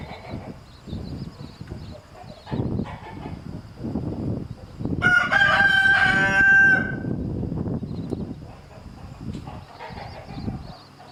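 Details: Rooster harassing a mother hen and her chicks: scratchy scuffling and soft thumps, then a strong, drawn-out crow of almost two seconds with a steady tone, before the scuffling sounds resume.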